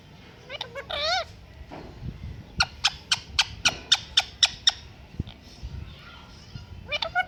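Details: Pet parrot giving a wavering whistled note, then a rapid run of about ten sharp clicking or knocking notes, then further whistled calls near the end.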